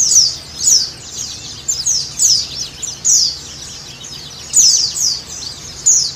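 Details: White-eye (pleci) song played as a lure for a caged bird: sharp, very high descending chirps in irregular bursts, a brief lull midway, over soft background noise.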